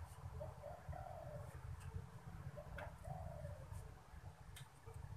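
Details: Caged spotted dove cooing when strangers come near: two soft, low, hollow coo phrases about two seconds apart, each a short note and a longer drawn-out one, over steady low rumbling background noise and faint clicks.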